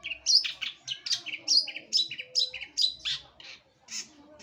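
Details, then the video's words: Singing long-tailed shrike held as a kept bird: rapid, scratchy high-pitched notes and chirps tumbling out about twice a second in uneven bursts, with a soft low background hum. "Gacoran Full Burung Cendet"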